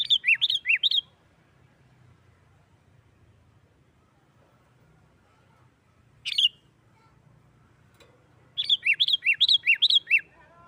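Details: Sooty-headed bulbul singing in the lively 'gacor nggaruda' fighting style, meant to provoke other bulbuls into singing; two bursts of rapid alternating high and lower whistled notes separated by a long quiet gap, one short isolated note midway.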